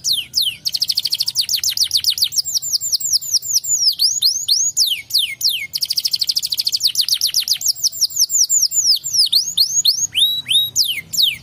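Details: Canary singing a song said to make any other canary answer at once: rapid series of high, sweeping whistled notes repeated in quick trills, each phrase of falling slurs several per second, a short pause near six seconds, loud and clean.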